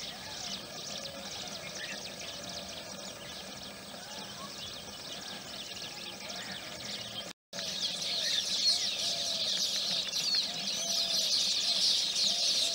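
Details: Baya weavers around their nests in the morning near Udaipur, Rajasthan, India, keep up a dense, high, sizzling chatter of overlapping chirps and wheezes, with a brief break partway and other birds faintly behind.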